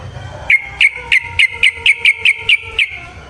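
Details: Yellow-vented bulbul in a fighting song meant to provoke a rival: a steady series of about ten short, clear whistled notes at one pitch, evenly spaced about a third of a second apart.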